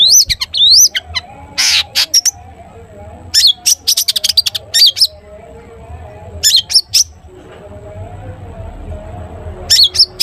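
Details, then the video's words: Long-tailed shrike, known locally as cendet, singing a 'toet toet' song meant to coax other shrikes into song: rising whistles and sharp clicks in short clusters with silent gaps between, with low hum behind. "cendet gacor TOET TOET buat pancingan cendet agar bunyi jadikan burung cendet gacor NYAUT"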